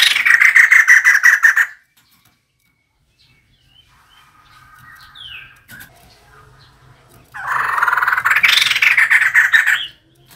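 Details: Loud, dense, rattling laughter from a female white-crested laughingthrush used as a decoy, a long chattering outburst at the start and another near the end, with softer bird notes in between.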